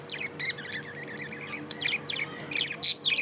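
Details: Budgerigar warbling: a wavering, rolling chirp run at the start, then sharp high tweets and squeaks in quick succession, with a low steady hum behind.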